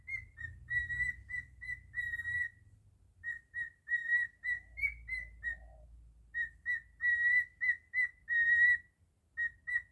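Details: Cockatiel whistling its version of Jingle Bells, clean repeated notes in rhythmic groups with one higher note, a quiet stretch, then another phrase; soft low rumble underneath.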